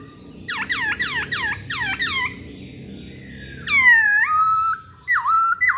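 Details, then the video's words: Masked laughingthrush song used as a lure to provoke other birds into singing: a run of five quick, downward-sweeping whistles, then a pause and loud, rich whistled notes with a falling-then-level shape, in a quiet room. "Pancingan Poksay Hongkong"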